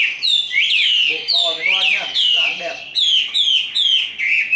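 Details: Caged Chinese hwamei singing its fighting song: loud whistled phrases swooping up and down, repeated about every half second, mixed with short rough chattered notes.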